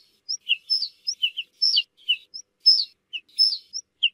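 Ortolan bunting giving a quick run of high, clear chirps that jump between two pitches, about three or four notes a second, with no other sounds.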